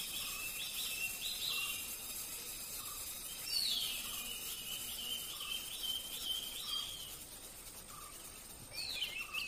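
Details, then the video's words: Hooded pitta in Bogor, Indonesia, giving short, soft whistled notes about every second, set against a dense insect drone and high chirps from other birds. "Burung Hooded Pitta"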